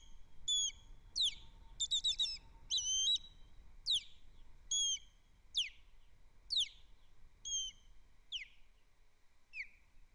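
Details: Osprey alarm calling, picked up by a camera at Captiva on 24 January 2025 amid landing and chasing birds: loud, sharp whistled notes sliding downward, repeated in an uneven series, some doubled or clustered, over a quiet background.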